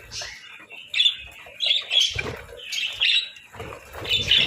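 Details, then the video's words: Budgies feeding on boiled eggs and bread in winter chill: bursts of sharp squawks and chirps about every half second, interspersed with soft scraping and pecking noises. "Breakfast Serenade: Budgies' Melodic Chirps over Boiled Eggs and Breads"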